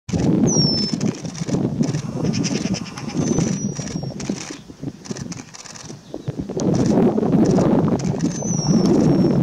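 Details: A black-headed penduline tit (Remiz macronyx) in western Kazakhstan in 2017 gives thin, very high, downslurred whistles, three in about nine seconds, over a loud, steady low rumble.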